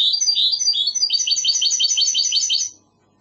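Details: Goldfinch hybrid in classic Andalusian song: slurred rising and falling notes lead into a rapid series of bright repeated chirps, ending after under three seconds.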